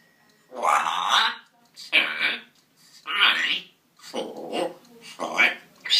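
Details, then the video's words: Mamadou, an African grey parrot from England entered in a talking-bird championship, counts from one to eight in Polish in short, nasal, raspy word-like bursts, five in six seconds, in a quiet room. "Gadająca papuga Mamadou liczy do ośmiu (Mamadou The Talking Parrot)"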